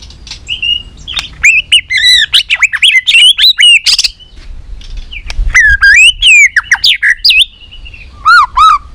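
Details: Competition fighting song of a white-rumped shama: rich, varied whistled phrases with swooping rises and falls, interspersed with sharp clicks and rapid trills, delivered almost continuously.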